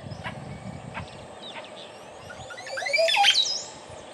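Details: Montezuma oropendola in Costa Rica, the male's liquid mating call that tumbles like a waterfall, given with an upside-down display flip; a brief, gurgling cascade of sliding liquid notes rises over steady background noise with a few faint earlier chirps.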